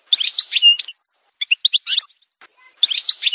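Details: Algerian goldfinch singing in a montage recording: short bursts of bright twittering notes and a clear sustained whistle, separated by brief pauses, with a final rapid burst.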